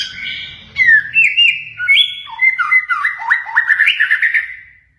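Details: Training song of the white-rumped shama (murai batu) for pet birds, filled with imitated cililin, kenari, konin and katem phrases. It is a continuous tumbling stream of loud, clear whistles, sharp upslurs and quick descending notes that fade out at the end.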